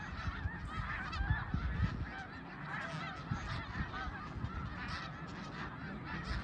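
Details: Snow geese at Middle Creek in 2022, nasal barking honks rising and falling in quick succession above a thick background chorus of the flock, with low wind-like rumble beneath.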